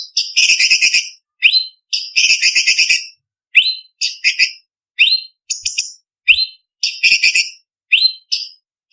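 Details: Blue-winged leafbird singing a varied, sharp training song for bird contests. Long harsh trilled bursts alternate with quick upward-sweeping whistles in a rapid, steady run of phrases.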